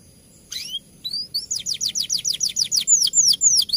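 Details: Champion canary singing as a song tutor, a rolling fighter-style song: a few sweeping whistles, then a fast series of high downslurred notes repeated about three times a second, growing louder.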